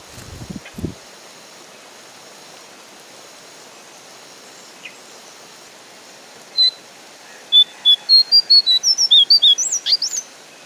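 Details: Horsfield's babbler calling over a soft rain hiss: after long quiet, a rapid series of about fifteen short high whistled notes, some bending and rising, delivered roughly in a steady burst.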